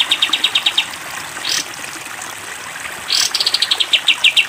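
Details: Training song from a caged sooty-headed bulbul in the long 'tembak panjang' style: quick chip series separated by two short gushes of water, then the rapid notes resume.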